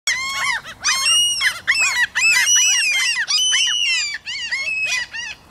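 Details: Common gulls (Larus canus) in Helsinki, Finland, June 2013, excited after receiving food, with a few Lesser Black-backed and Black-headed gulls present, in a noisy chorus of high, overlapping mewing and squealing calls, many rising then falling, barely pausing between bursts.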